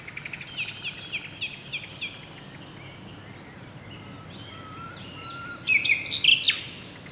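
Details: Common nightingale at Brede High Wood on 2 May 2012: quiet rapid repeated notes at first, soft whistles in the middle, then a loud burst of harsh chattering phrases near the end.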